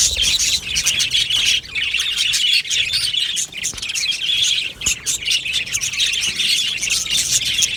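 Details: Australian budgies calling together in an aviary, a busy wall of high-pitched chirps, trills and scratchy warbled notes from many birds, steady throughout with a few brief dips.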